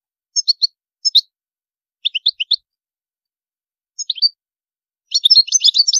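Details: High-toned song of a European goldfinch: sharp triplets of tinkling chirps with brief gaps between them, building into a dense, rapid twittering flourish in the final second. The background is quiet.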